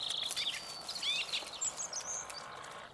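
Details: Song thrush around feeders in fog, singing a rapid run of varied whistled and trilled phrases, fairly loud and close, followed by thin, high notes fading out against soft ambient hiss.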